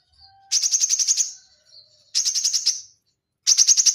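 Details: White-rumped shama (murai batu) in a dense rapid-fire 'tembakan rapat' song, used as a training recording: three bursts of fast, sharp repeated chipping notes, each under a second long, separated by short pauses, with faint soft notes between bursts.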